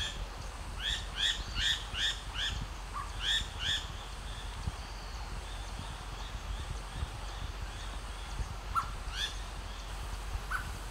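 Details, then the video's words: Striated laughingthrush, a shy Himalayan bird of thick shrubbery, gives a rapid run of bright, rising chirped notes, two or three per second, then scattered calls while puffing out its throat, over low rumbling background noise. "Striated Laughing Thrush chirps and vocalizes by puffing out its throat"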